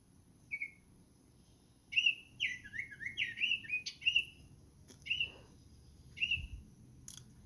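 Baltimore Oriole singing rich, flutey whistles: a lone note, then a quick tumbling run of slurred notes, then single whistles spaced about a second apart.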